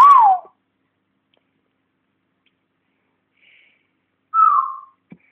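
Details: Captive African grey parrot learning to talk at home whistles twice with long gaps: a wavering note dropping in pitch, then a later steady whistle that fades down.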